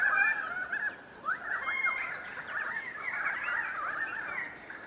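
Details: Winter flock of about 100 currawongs passing through Donvale, 2014, calling out to each other: a busy tangle of rising and falling whistled notes that swells mid-way, and many birds overlap without pause.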